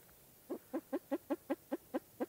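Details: Spruce grouse calling in eastern Canada: a steady run of nine short, throaty clucks about one fifth of a second apart, each note brief and slightly rising, with nothing else heard.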